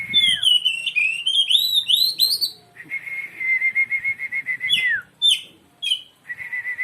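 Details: Oriental magpie-robin singing, used to get a quiet bird to respond: rapid bright whistled phrases with upward slurs, then a long steady buzzy whistle and sharp descending notes, ending in another level whistle.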